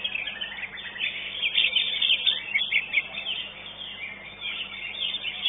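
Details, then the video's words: Competition-winning greater green leafbird singing at a contest arena: busy, unbroken high twittering with quick slurred chirps, growing fuller and louder in the middle, then easing toward the end over steady background noise. "JUARA 1 CUCAK IJO"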